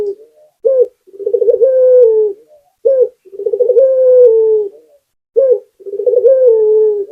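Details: Actively singing Indonesian local puter dove: repeated three-part coos of a clipped opening note, a pulsing roll and a long, soft falling tone, with brief silent gaps between phrases.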